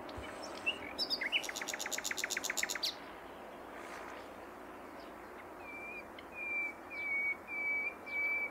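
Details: Common nightingale song: a few sharp upslurred notes, then a fast rattling series of clicking pulses, a pause, and a closing run of pure, level whistles repeated about once per second, over steady outdoor background noise.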